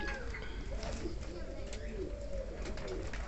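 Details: King pigeons (domestic pigeon) give low, throaty cooing in overlapping bursts, with background chatter and a steady hum from an enclosed space.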